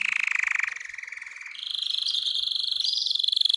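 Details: Singing canary, played to arouse females for mating: a low, pulsed roll for about one and a half seconds, then a higher, steady trill with small upward inflections.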